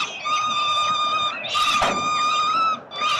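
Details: Hungry peregrine falcon nestlings in Melbourne, Australia, fed by their father on 30 October 2021, giving long, steady, piercing whining screams, two sustained notes with a brief rough burst between them.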